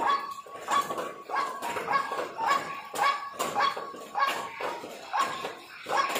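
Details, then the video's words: Repeated raspy croaking calls of a white-breasted waterhen used for luring, evenly spaced at about two per second, a faint flat tone running beneath them. "Ruak Ruak dan Suara Pikatnya"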